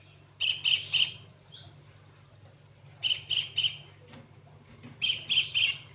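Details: Cinereous tit in song filled with canary-like material, giving bursts of three loud, buzzy, broadband notes, each triplet repeated about every two seconds with short quiet gaps, a constant low hum underneath.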